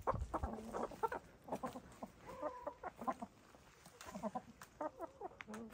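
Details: Several domestic hens, gray, lavender, blue and black, dust bathing and throwing dirt. Soft, harmonic clucks and short murmuring notes come in quick, irregular bursts throughout, with some rustling of dirt between calls.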